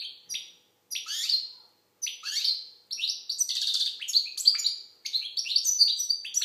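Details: European goldfinch, Algerian, delivering repeated sweeping chirps that build into fast, bubbling twittering with buzzy rattles and bright piping notes, nearly continuous.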